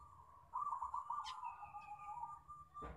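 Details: Local zebra dove singing as a lure for other doves: a rapid rolling, beaded coo leads into a long even held tone, over a low rumbling background and a brief sharp click.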